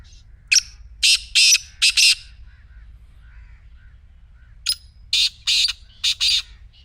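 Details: Black francolin calling to stir a silent partridge into song: two rasping phrases of five harsh, buzzy notes each, separated by about two and a half seconds of near silence.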